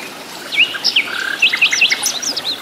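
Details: Wild flycatcher (sikatan londo) in its natural habitat, singing energetically: quick high whistled notes, some upslurred and some downslurred, with a short buzzy trill in the middle, over a steady background hiss like running water.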